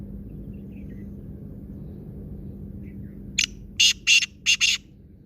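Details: After a quiet stretch, a black francolin delivers its grating phrase of one brief note followed by four strong rasping notes in rapid succession.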